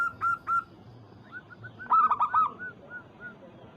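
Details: Local Zebra dove calling to a rival. Two quick coos open the sequence, then a loud, rapid cluster of bubbling notes, with softer single coos from other doves trailing after it.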